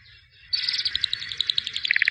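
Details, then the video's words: Brief burst from a white albino canary, a 2017 champion: a rapid string of ringing notes that begins after half a second of quiet and quickens at the end. "Εκπαίδευση καναρινιών - θα κελαηδούν σαν αηδόνια White Canary Singing (Albino)"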